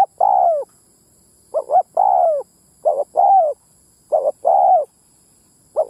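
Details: In this Vietnamese lure recording for wild males and females, a spotted dove gives repeated phrases of a stuttered short note and a long low coo that bends down at the end, spaced irregularly.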